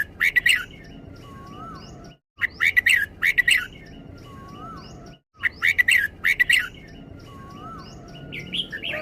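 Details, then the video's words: Red-whiskered bulbul in the doubled 'beun' song style. Loud, bright warbled phrases come in tight clusters of quick notes, roughly every three seconds, split by abrupt silent cuts. A soft, lower gliding whistle sits underneath. "นกกรงหัวจุก นกร้องเบิ้ล"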